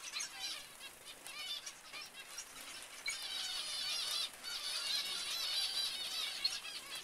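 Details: Busy zebra finch chatter: many nasal, honking beeps with rich overtones pour out continuously, swelling louder in the second half as more birds join.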